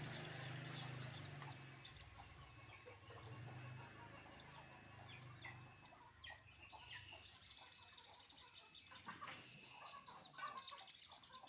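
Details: Sunbird set out in the morning sun, likely caged; continuous high, scratchy twitter with short sharp squeaks throughout, over a low hum in the first half.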